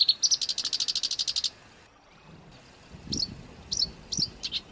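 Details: Harsh training-song material for house and contest songbirds: a rapid buzzy rattle of evenly spaced high notes lasting over a second, a pause, then a few sharp separate chips with faint low thumps.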